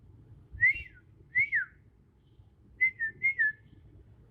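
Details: Young Bornean green magpie in the wild in Kalimantan, natural voice only; paired down-slurred whistles, a pause, then two more double whistles.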